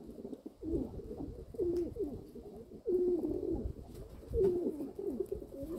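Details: Domestic pigeons in an owner's flock, recorded 27 May 2022, cooing in deep, drawn-out phrases that dip and rise, several bouts across the clip with short pauses between them.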